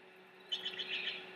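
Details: Restless bald eagle chicks at a nest in Big Bear, keeping their mother awake: a brief burst of high, thin chirping peeps running together for under a second, over a steady low electrical hum.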